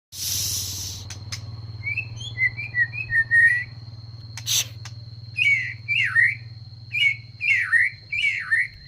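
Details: Oriental magpie-robin in care, singing short whistled, slurred phrases around a mid-high pitch in two bursts separated by a click, over a steady high electronic tone and low hum.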